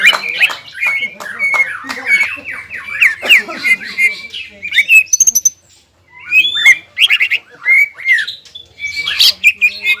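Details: Greater green leafbird, roused by stimulated breeding urge, singing in ngobra and jamtrok styles: rapid chattering runs of sharp, slurred high notes and squeaky whistles, broken by a short pause.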